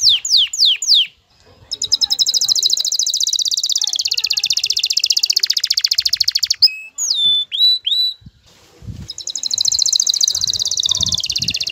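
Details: Aroused male canary courting a female toward mating: a few descending swoops, then a long rapid high trill, a brief pause with clear whistled notes, and the buzzy trill returning.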